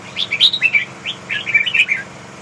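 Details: Large red-whiskered bulbul singing: two bursts of bright, quick whistled and chirpy notes, rising and falling, loud and clear against a low steady hum.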